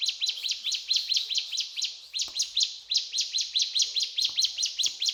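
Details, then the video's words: Lively mountain tailorbird song: rapid, high, piercing chirps delivered in a continuous run of more than two notes each second, loud and dense throughout. "Burung Ciblek Gunung Gacor Cetrakan"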